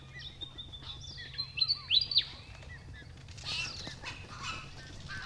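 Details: White-winged Chough family group, Capertee Valley, New South Wales, October 2018. Sweeping high whistles rise and fall, with several loud piercing peaks near two seconds. Softer clicking notes follow, then a hissing rush.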